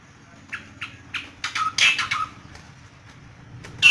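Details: Asian pied starling teased by hand among Yogyakarta songbird hobbyists, singing busily: harsh broadband squawks and chattering bursts mixed with short clear whistles, ending on a loud sharp note over faint low room hum.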